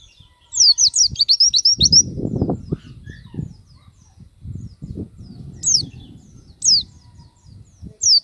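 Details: Oriental white-eye (pleci) singing vigorously in gacor style, showing off its repertoire: a rapid run of high, sharply descending whistled notes over about two seconds, then single high notes spaced about a second apart, over low rumbling background noise.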